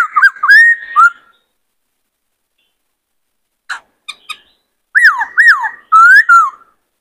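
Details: Varied singing of a white-cheeked laughingthrush, used to train young wild-caught birds and excite males: looping whistled notes, silence, a few faint clicks, then loud dipping and rising whistles in two bursts.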